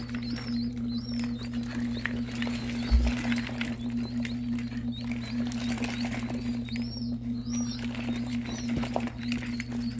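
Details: Sixty freshly hatched ring-necked pheasant chicks out of an incubator: bursts of short, bouncing, high-pitched peeps come and go over ten seconds against a loud steady hum and a soft thump.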